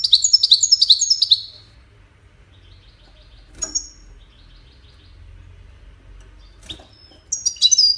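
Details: European goldfinch, called a Wedani goldfinch, sings a burst of rapid high twittering notes repeated in a quick tinkling phrase, then falls to scattered single chirps with brief pauses and light background hum.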